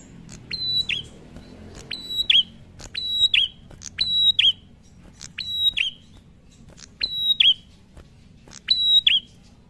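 A prinia repeats bright, high whistled notes, each ending in a quick downward slur, coming in paired bursts about once a second over a faint low hum.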